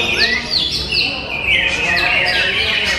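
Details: A captive greater green leafbird, a songbird-contest bird from Pasuruan, sings a rapid, high jumble of whistles, slurred upsweeps and chattering notes with no pauses, while other songbirds overlap faintly behind it.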